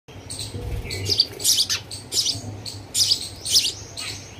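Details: Hungry baby sparrow begging: sharp, high chirps in short bursts, some doubled, spaced irregularly about every half second, over a faint low hum.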